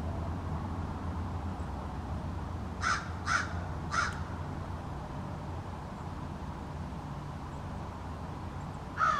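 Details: American crows from a small backyard family calling in an extended conversation, individual calls differing; four harsh caws, three spaced about half a second apart near the middle, a last one at the end, over a steady low rumble.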